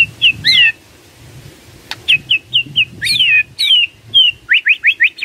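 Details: White-rumped shama lure song to trigger answering birds: sharp high whistles and squeaky downslurs spaced by gaps, ending in a fast series of rising chips, with a soft low rumble underneath.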